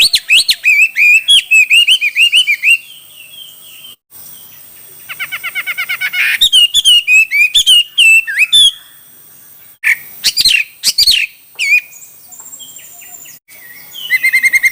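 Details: Chinese hwamei in a song contest, pouring out varied loud whistled phrases: rising and falling notes, rapid trills and sharp repeated chips, with brief pauses between bursts.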